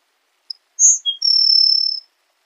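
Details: A Grassland sparrow gives one song phrase: a tiny tick, a bright high note and a lower short note. A long, steady, very high buzzing trill follows for about three quarters of a second, clean with no other sounds.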